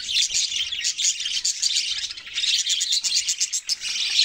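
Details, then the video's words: Busy chorus of Australian parrots, shrill overlapping chirps and trills pouring out without a break, several birds chattering at once. "Australian parrots sounds chirping"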